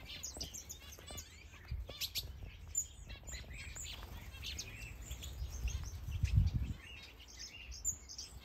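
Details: Busy chorus from finches, canaries, java sparrows and other caged birds in a planted Danish aviary during breeding. Sharp high chirps crowd together, with louder low thumping noise near the end.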